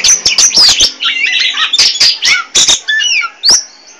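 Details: Captive Oriental magpie-robin of the poci type, chattering nonstop in full song: a rapid, varied run of clear slurred whistles and rising notes, broken by loud harsh scratchy bursts, with barely a pause.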